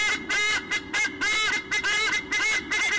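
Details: White-bellied sea eagles at a nest exchange, watched by nest camera, giving a squonk-a-thon: loud, nasal, goose-like honks in quick bursts, several per second, some overlapping, with a steady low hum underneath.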